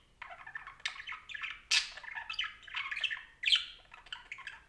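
A parakeet chatters in a quick, scratchy stream of squawks and chirps, with sharper high notes breaking through every second or so.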